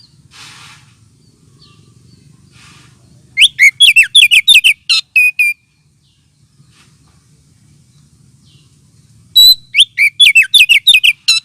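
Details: Lure call of the oriental magpie-robin, also played as therapy for birds short on aggression: two loud bursts of fast, chattering whistled notes separated by a long quiet gap, faint low hum beneath.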